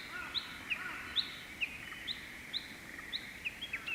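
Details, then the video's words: Japanese bush warbler singing in May on a morning, perched atop a silver grass plume; rapid alternating high and lower chirped notes repeated about twice a second over a faint background bird chorus. "ウグイス 鳴き声"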